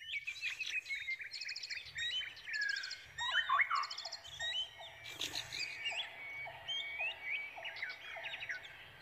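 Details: Brown prinia nestlings calling eagerly as they await a parent bringing food; busy high chirps and sharp upswept notes, plus short buzzy bursts and a steady series of lower pulsed notes in the second half.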